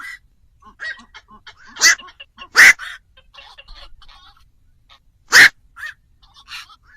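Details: Black-crowned night heron call, a lure for trapping birds at night for Tet: three loud, harsh, abrupt squawks, two close together and one later, amid quieter croaking and chattering.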